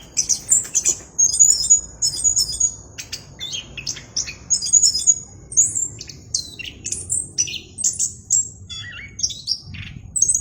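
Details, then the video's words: An orange-headed thrush pours out a lively, clear song of high twittering phrases, whistled slurs and short chip notes in quick succession for about ten seconds, with a soft low rumble beneath. "anis kembang gacor suara jernih"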